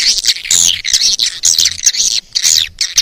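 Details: Edible-nest swiftlet call used to attract swiftlets: busy, overlapping, high buzzy twittering with short squeaks, continuous and slightly rough, with a faint low hum underneath.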